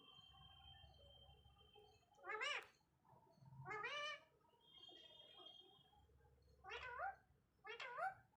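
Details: A talking parrot produces four speech-like utterances, drawn-out and bending in pitch, the last two shorter and sharper, with a faint steady tone and low room noise between them.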